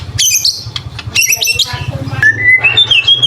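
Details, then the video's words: Training recording of White-rumped shama song with mimicry fill and rapid bursts: harsh high chatter and squeaky notes, then a clear rising whistle and a thin high slur, over a constant low hum. "BURUNG MURAI BATU FULL ISIAN & TEMBAKAN"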